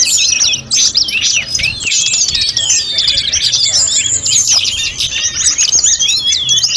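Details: Training recording of a snowy-browed flycatcher singing without pause. Bright, piercing whistled notes and quick trills run densely together, with a brief dip near the start, over a low steady hum.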